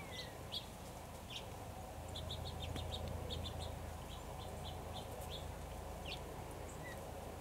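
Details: A junco in Tennessee gives a quick, uneven series of sharp, high chip notes, thin over a steady low rumble of wind or distant traffic.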